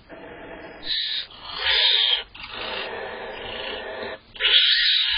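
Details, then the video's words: Female barn owl inside a nest box on June 18th, annoyed as the male eats cached prey: rasping, hissing screeches rising in bursts over a noisy, breathy background. "Female barn owl gets slightly annoyed as male barn owl eats cached prey inside BOB"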